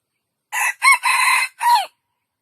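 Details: Loud, clear crow of a junglefowl, four linked segments: brief harsh start, short curved note, extended buzzy middle, and a trailing note that drops in pitch, with no other sounds.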